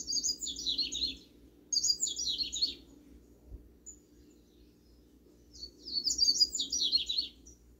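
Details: Backyard double-collared seedeater repeating a rapid, high, warbling twitter phrase three times, each about one second long, separated by pauses, with a steady background hum.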